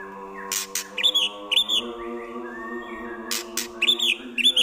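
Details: Mimicking White-rumped shama, its song loaded with prinia, kapas tembak and eagle imitations: sharp high chip bursts alternating with arched whistled notes roughly twice a second, above a continuous low droning hum.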